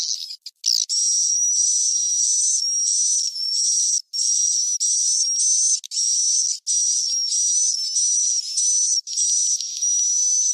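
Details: Swiftlet roosting call of the cave-crossing type, used in swiftlet farming to lure birds: dense, continuous high chattering twitter with a steady thin whistle running through it, broken by short gaps of a fraction of a second.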